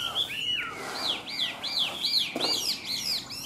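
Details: Chinese hwamei, a caged bird in Vietnam, singing clear bright whistled notes that arch upward and drop, repeated in quick succession about three times a second, with one soft thump partway through.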